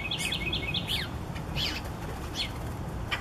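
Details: Young Eastern bluebird begging as parents feed it, with quick, thin chirps, a rapid cluster at first, then single notes every second or so, over a low background rumble.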